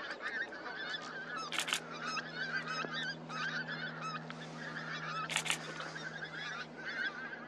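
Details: Pink-footed goose flock at Starene in 2023: a dense, continuous chorus of overlapping honking calls, with two louder bursts of calls near 1.6 and 5.4 seconds over a steady low hum.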